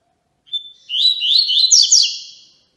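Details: Single Tui Tui song phrase from a Yellow-bellied seedeater, a style used to train young birds: brief pure whistle followed by a two-second stream of high, rapid, buzzy slurred notes, with nothing else heard.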